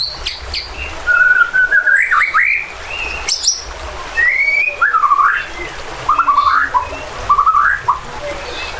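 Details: Provocative, agitated song of a white-rumped shama meant to trigger fighting spirit and loud singing in other birds, with stream sounds; rich whistled phrases, swooping and warbling, separated by short pauses.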